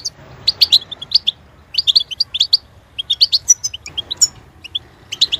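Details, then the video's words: Goldfinch singing a rapid, bright twittering song of short high chirps and trills, given in bursts with brief pauses, some notes sharply rising and liquid, over a faint low hum. "Boost motivation to achieve maximum song potential for goldfinch"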